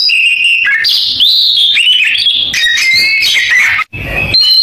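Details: Clear whistled phrases and fast warbling slides from an Oriental magpie-robin imitating a canary. A brief drop-out comes near the end before the whistling resumes.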